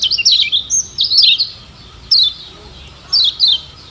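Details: Lombok's yellow white-eye (kecial kuning) used as a tutor song to make birds sing: quick clusters of high, sliding, slurred chirps, then separate short twittering bursts spaced about a second apart.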